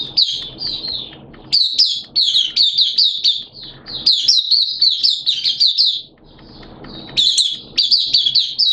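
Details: Oriental white-eye (Mata Puteh) kept as a caged hobby bird, opening into song on 11 September 2022 in wet, erratic weather; long runs of shrill, quickly warbled chirps, broken by short pauses, over faint low rumble.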